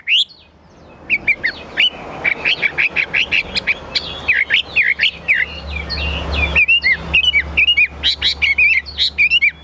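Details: Caged Chinese hwamei song: after a quiet start, dense bursts of sharp chirps and whistled trills tumble rapidly, with a steady low hum and a stretch of louder background rumble mid-way.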